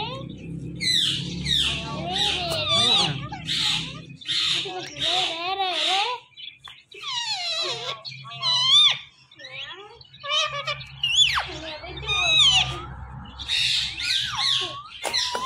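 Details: Indian ringneck parakeet kept as a pet, talking in long speech-like phrases of grating, wavering syllables broken by whistles and squeaks, with short gaps between bursts and a low hum behind.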